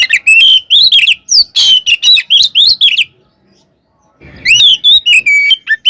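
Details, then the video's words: Caged white-rumped shama in loud fighting song used to provoke other shamas into answering: rapid bursts of sharp, rising and falling whistles and harsh chattering notes, a pause of about a second, then another dense burst. "SUARA BURUNG kacer gacor NGEPLONG tarung KONSLET ini AMPUH buat PANCINGAN KACER agar EMOSI NYAUT"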